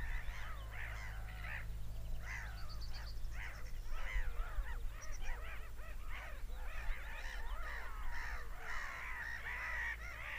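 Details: Many seagulls screaming in uneven bursts of clipped, arching yelps, packed thickly in the middle, with a drawn-out wail near the end and low-frequency rumble throughout.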